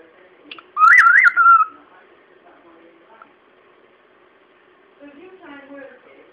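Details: Bird kept as a pet mimicking The Good, the Bad and the Ugly theme: one clear wavering whistled phrase lasting under a second, followed by quiet indoor murmurs and soft chattering sounds.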